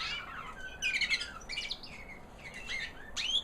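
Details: Singing female canary of the American Singer breed, a white hen past her molt: bursts of rapid high trills and whistles, ending with a sharp upward-sweeping note.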